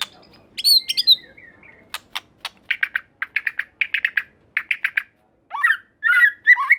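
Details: White-rumped shama vocalising to provoke a response from other shamas: high whistles and clicks, then a quick series of dry chattering notes, ending in looping slurred whistles.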